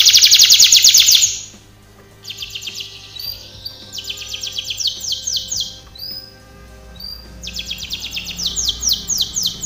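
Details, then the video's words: Canary singing in bursts for training: a loud fast trill, a pause, then separate rolls of rapid high descending notes between short quiet gaps. "canary singing / canto Canario cantando | canary training song"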